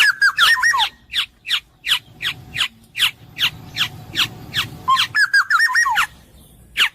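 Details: Black-naped oriole opening with a fluty wavering whistle, followed by a long series of harsh downslurred nasal notes roughly every 0.4 seconds, then the whistled phrase again.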